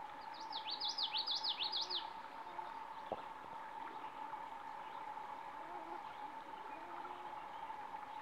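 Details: A common yellowthroat (Geothlypis trichas) sings a quick, rolling run of repeated high, swooping phrases lasting under two seconds, over a steady mid-pitched hum.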